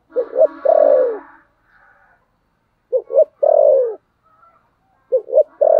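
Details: Spotted dove fighting coo, thổ sấm gù style. Each phrase starts with short paired notes and ends in a long, downward-gliding coo, repeated three times in quick succession with faint higher tones after the first.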